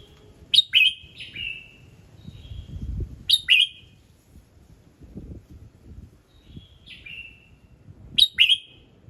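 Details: Red-whiskered bulbul morning song, aimed at triggering other birds to sing: lively two-part whistled phrases, a sharp note followed by a slurred falling one, repeated about every three seconds, with soft knocks and low rumbling in the background.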